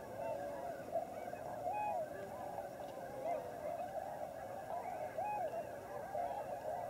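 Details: Tundra Swans wintering in large numbers at Lower Klamath National Wildlife Refuge, Oregon/California border; continuous mass of soft bugling calls from many birds, several clear arched notes repeating above the background din.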